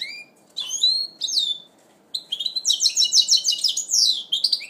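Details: Goldfinch mule in its first moult, 2012, singing bright twittering phrases high in pitch, with whistled notes and buzzy trills broken by short pauses, then a fast run of rapid chirps.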